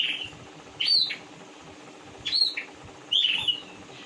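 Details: Oriental magpie-robin (kacer), a large-bodied bird, delivering three loud, rasping bursts with bright downward-sliding whistled notes and clicky edges, spaced one to one and a half seconds apart over a constant faint hum.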